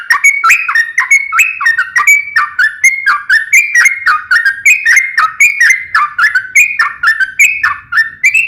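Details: Sooty-headed bulbul in full voice, song style nembak ropel ngeplong. It gives a steady stream of clear whistled phrases, each a quick slurred rise and fall, run together continuously with no pauses.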